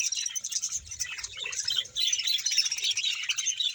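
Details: A colony of about 100 pairs of budgerigars in Bahawalpur producing a dense, unbroken chorus of high warbling chirps and chattering twitters, with many birds calling over one another.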